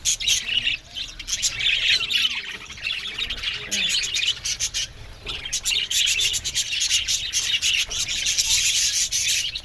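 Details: Budgie colony in an aviary, a continuous mass of high chirping and warbling with short scratchy bursts, one brief lull at around five seconds before the chatter resumes.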